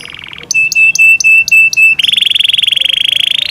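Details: Yorkshire canary song opening with a soft trill, then a series of sharp, clipped chip notes, ending in a fast, buzzy, rattling trill.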